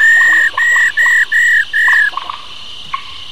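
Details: Forest-matured female white-browed laughingthrush making its 'rò rò' call to excite males: five strong, flat, clear notes of equal length repeated rapidly, followed by a few short chips, with a constant high background drone.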